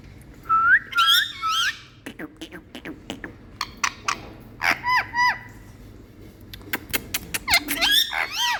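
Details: Pet Indian parrot in India, affectionate toward its owner, mixes looping whistled phrases with short arching squeaks and scattered clicks, ending in a rising burst of calls.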